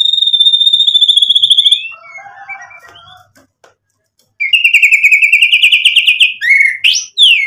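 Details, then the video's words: White-rumped shama song meant to excite and draw out a reply: a long pure whistle, a soft scratchy phrase, a pause, then a fast repeated trilled series ending in sharp upward whistles. "MURAI BATU GACOR buat PANCINGAN agar BUNYI NYAUT emosi"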